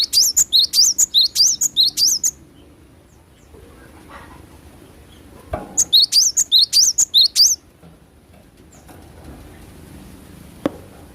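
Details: Cinereous tit (glatik batu) in full natural voice: two bursts of about two seconds each of quick, high, ringing whistled note pairs, a sharp chip then a rising slur, repeated rhythmically, separated by quiet with faint background noise.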